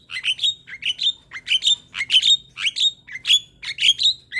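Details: Young Javan myna singing, a master recording for young birds to copy: rapid rhythmic squeaky whistled notes, each rising and sharp, in quick pairs and triplets.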